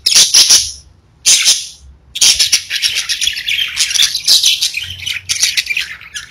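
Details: Pet budgerigars chirping: two short bursts of bright squeaky chatter broken by silences, then a longer continuous run of high warbling and clicking notes.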